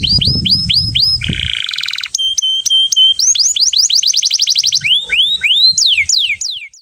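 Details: Agitated male Atlantic canary singing to prepare a female for breeding: repeated arched whistles, a fast buzzy roll, clipped metallic notes, a rapid ascending series of chirps and swooping slurred whistles, about four notes per second, in a clean recording.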